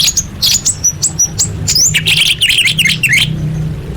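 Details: Female orange-headed thrush calling to males, used to coax silent birds into singing: quick high squeaky chirps and short whistled upslurs in a rapid run, then harsher rasping notes, with a steady low hum behind.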